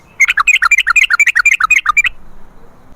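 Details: Yellow-vented bulbul lure recording: one quick, even rattle of about sixteen bubbly whistled notes lasting under two seconds, ending abruptly into quiet.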